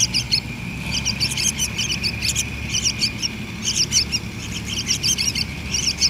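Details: Hand-fed yellow-vented bulbul nestlings beg with short, sharp, high chirps in quick clusters, pausing briefly between bursts, above a constant thin whine and low background hum.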